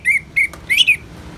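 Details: Orange-headed thrush singing in the ngeplong style, with rain sounds: four short, loud whistled notes near the same pitch, the last pair more complex, over faint low background noise.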